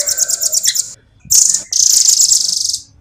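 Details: Velvet-fronted nuthatch in clear, steady song: short bursts of very high, rapid trilling separated by brief silences, each burst a dense run of sharp pulses.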